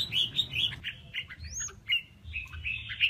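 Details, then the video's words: Male red-whiskered bulbul in contest singing, giving short sharp whistled notes and a high rising slur amid chattering, against a loud low rumbling background noise. "Tiếng kè Kích chào mào Trống Hót đấu"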